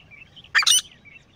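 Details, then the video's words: One sharp, harsh double note from a grey francolin pair, broadband and loud, with faint thin whistles of other birds around it. "Beautiful Sounds of Grey Partridge Pair | تیتر جوڑے کی آواز | Grey Best Francolin Pair Voice"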